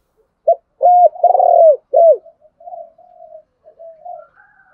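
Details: Spotted dove call used to provoke a wild rival into fighting, with male and female voices. A loud four-part coo: a short note, a flat hooting note, a rolling purred note, then a down-slurred coo, followed by softer trailing coos.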